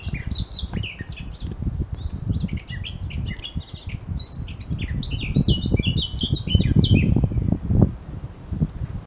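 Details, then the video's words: Singing Eurasian blackcap, newly returned, delivering a rapid, varied warble of sharp chirps and fluting notes that run on continuously, with strong low-pitched rumble and handling noise underneath. "Zwartkop zingend"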